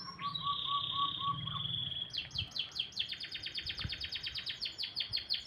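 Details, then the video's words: Morning song of a canary: a long high held note with a lower pulsed trill beneath, followed by a rapid, even series of bright descending chirps repeated to the end, with a soft low rumble behind. "kicauan burung kenari"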